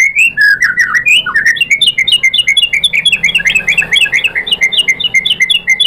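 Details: White-rumped shama singing as a provoking lure for a rival: a fast, unbroken run of bright, repeated upslurred whistles and chips, roughly six per second, loud and clear.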